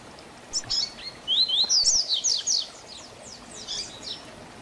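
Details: Double-collared seedeater performing the Tui Tui Zel Zel tutor song for young birds: a few lead-in chips, then a fast sequence of clear high slurred whistles, ending with faint trailing notes.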